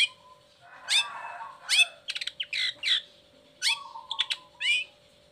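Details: Long-tailed shrike in vigorous song with the cage cover opened, used as a lure for lazy or moulting shrikes. Harsh rasping bursts alternate with quick chirps and a low buzzy note, over a steady electrical hum.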